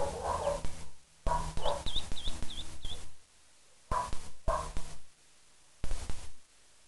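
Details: Ducklings kept by their owner, giving a run of five thin, high peeps in quick succession, with lower rough murmuring sounds and bursts of handling noise around them.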